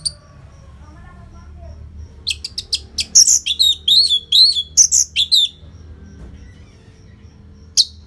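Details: Loud, fast Orange-headed thrush song meant to coax silent caged birds into singing. After a quiet start with faint low notes, a dense three-second burst of high slurred whistles and sharp chips, then one final high note.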